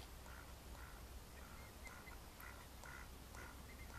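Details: Mallards in May 2014 giving evenly spaced, hoarse quacks, about two per second, against a continuous low-pitched hum.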